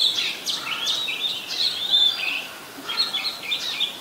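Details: Song of an Oriental magpie-robin recorded in Ubon Ratchathani, Thailand, 26 December 2020; sweet whistled notes with sliding upward and downward phrases, a brief lull near the middle, then more quick varied notes over faint background hiss.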